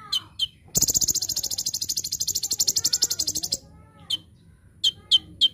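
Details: Master-recording song of an olive-backed sunbird, sung full tembakan: a few bright chips open a long fast buzzing trill of nearly three seconds, then scattered sharp chips resume.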